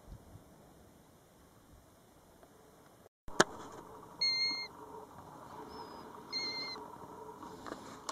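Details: European golden plover by its nest near the road at Batsfjord, recorded from a car: a sharp click, then two pure whistles two seconds apart with a faint shorter note between them.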